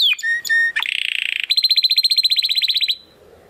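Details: Timbrado Español canary male, bred 2020 from rated parents, singing training song: a few sliding whistles, a buzzy trill, then a fast even series of rich bubbling notes about eight per second before stopping.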